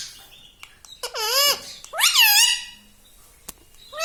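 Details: Pet talking parrot giving two loud, wavering harmonic calls, the first bending down then up, the second rising steeply. Faint clicks are heard around them.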